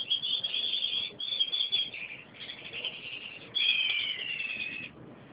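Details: Gouldian finch singing a mating song, a long high buzzy, wavering phrase broken into segments, with a brief dip around two seconds and a strong descending whistled sweep near the end, over faint background hiss.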